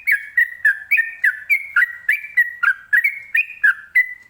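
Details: Trucukan, the sooty-headed bulbul, singing ropelan style to provoke other birds into replying; fast, steady series of short whistled phrases alternating up and down in pitch, roughly three to four a second.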